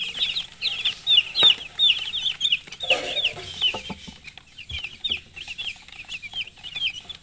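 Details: A group of chicks with their hen keeps up fast high chirping, many short downslurred peeps overlapping, a brief low rustle near the third second, calls thinning toward the end.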